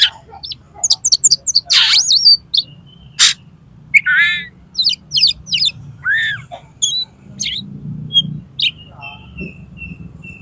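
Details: Oriental magpie-robin in the 'konslet' style, used to get another magpie-robin to spread its tail: a jumbled, varied song of chattering trills, sharp clicks, rasping bursts and thin whistles, ending in a repeated soft note.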